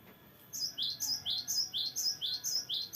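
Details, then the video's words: Gelatik batu (cinereous tit) rolling song: crisp, very high whistled notes paired into descending doublets, repeated about every quarter second, each ending with a sharp upper tick, against a quiet background. "GELATIK BATU GACOR NGEROLL PANJANG BERVARIASI"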